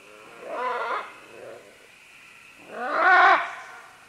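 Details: Multiple green-winged macaws calling at medium-close to medium distance while descending along vines: two strong, nasal, wavering squawks about two seconds apart, the second louder and longer, with a soft grunt between them.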